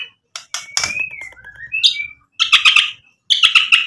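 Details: White-rumped shama uttering mimicked song phrases meant to provoke other birds: softer chirps and gliding whistles, then clusters of bright rapid notes, with faint knocking underneath.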